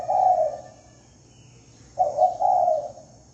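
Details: Spotted dove lure call recorded noise-free: the tail of one coo, a pause, then a complete phrase of two quick notes sliding into a longer low rolling coo.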